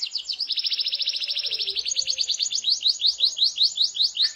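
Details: Canary singing to set off other canaries, a long fast high trill that turns into a series of repeated falling whistled notes.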